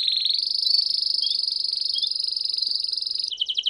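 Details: Canary in campainha song: a long, steady, rapidly pulsed high trill that ends in a coarser, slower rolling phrase. A faint low hum sits underneath.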